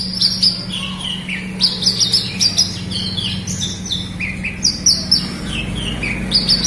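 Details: Tutor recording of Horsfield's bush lark song, meant to prompt a reluctant bird to sing: clipped high whistles and descending chirps come in clusters with brief gaps, over a constant low droning hum.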